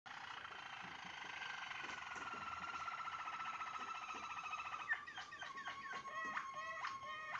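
A Waterslager canary holds a rich, bubbling rolled trill for about five seconds, then switches to bright, hollow klok notes repeated several times a second.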